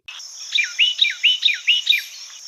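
An eagle gives a high, thin chittering series: about six sharp notes, each slurring downward, spaced roughly a quarter-second apart, over a steady background hiss.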